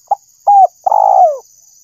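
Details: Spotted dove call used as a bird lure: a brief low coo, a flatter held coo, then a long rough, throbbing coo sliding downward at its end. A steady thin high whine runs throughout.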